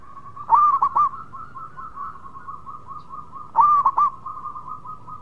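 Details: Zebra dove, local, singing actively: two short bursts of rolling, hooked coos about three seconds apart, over a soft continuous humming tone.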